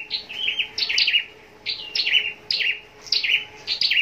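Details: Captive scarlet-backed flowerpecker singing for contests: bright, squeaky high notes in clipped bursts about every 0.8 seconds, with a faint steady low hum underneath.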